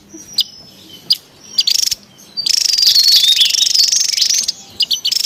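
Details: Wild Javan tesia, noisy, used for luring and training birds: a few sharp high ticks and buzzes, then a long continuous rasping buzz with a thin whistle running through it.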